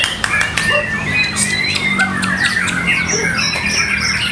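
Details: White-rumped shama, a caged bird competing at a routine training singing contest, delivers rich, varied song: loud clear whistles, rapid trills and sharp squawky notes that sweep up and down in quick succession, with other birds and faint voices behind.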